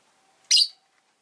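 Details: Pair of Rosy-faced lovebirds bunched at the entrance; one loud, abrupt, scratchy chirp that fades quickly, over a faint low background hum.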